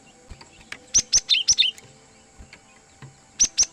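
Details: Cinereous tit (gelatik batu) used to lure wild birds: a burst of five or six crisp high notes sliding downward, a pause with faint clicks, then another short quick series.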